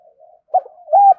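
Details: Spotted dove cooing to provoke a rival: a faint low hum leads into a short burst and then a fuller, steady mellow coo.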